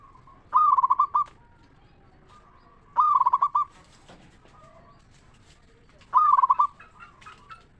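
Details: Local zebra dove from Indonesia in crisp 'ngeristal' voice, played as a lure to stir other doves to sing. Three loud, bubbling coo phrases come about three seconds apart, with softer drawn-out coos between them.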